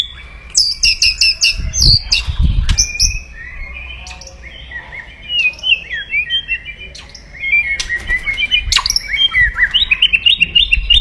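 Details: White-rumped shama giving a loud, aggressive crackling 'kretekan' song meant to provoke rivals. Dense run of rapid chattering notes and harsh buzzy bursts, with short whistled phrases near the end and low thumps underneath.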